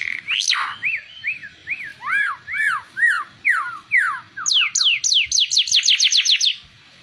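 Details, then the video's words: Oriental white-eye song, used for training other birds to sing: a run of clear slurred whistles, each arching up then down, that speeds into a fast, high, rising series of repeated notes before stopping. "Burung ara mata merah cocok buat masteran"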